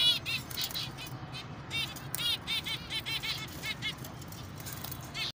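Zebra finches give nasal, buzzy beeping calls in quick, repeated bursts, with several birds chattering together.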